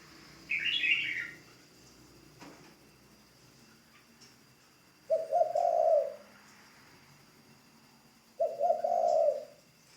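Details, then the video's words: A spotted dove used as a ground decoy and under new training coos twice, low and breathy, about three seconds apart, after an earlier brief high chirping from another bird. "Tiếng chim cu gáy mồi đất"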